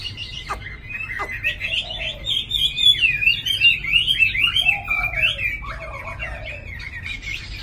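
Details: Chinese hwamei, a tamed cage bird from Hanoi, Vietnam, sings a fast, rambling sequence of warbles and slurred whistles with a couple of sharp clicks near the start. The song is steady and loud over a soft low hum.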